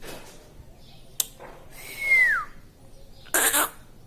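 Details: Pet talking parrot (tota): a clear whistled note that holds steady and then slides downward, followed by a short harsh burst, with light indoor noise.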